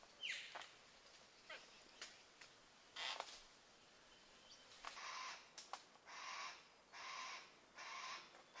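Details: A couple of yellow-tailed black cockatoos in Mulgum Creek valley, Northern NSW, October 2020; cracking and snapping as they rip rotten wood for grubs in a dead tree, one on lookout, then three harsh, drawn-out wailing screeches about a second apart.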